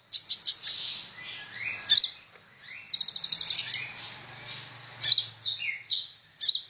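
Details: Kolibri ninja sunbird singing hard for a tutor recording, pouring out quick high trills, a rapid stuttering rattle, sliding whistles and sharp chip notes in a busy continuous phrase.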